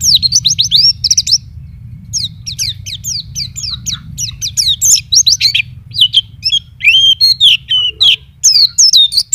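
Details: Caged white-eye pouring out a busy, high twittering song of quick downslurred chirps and trills in dense bursts, over a steady low hum.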